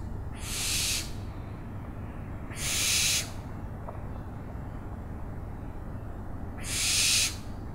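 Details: Owl giving three harsh, hissing screeches, each about half a second long and spaced roughly three seconds apart, over a steady low background hum.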